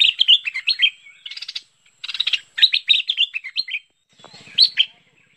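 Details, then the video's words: Bulbul, locally called merbah pet pet or lekir, in a 2021 lure recording for attracting the bird: quick bubbly chattering phrases of slurred notes, broken by a buzzy rattling burst and short pauses. "SUARA MEMIKAT BURUNG MERBAH PET PET (LEKIR)"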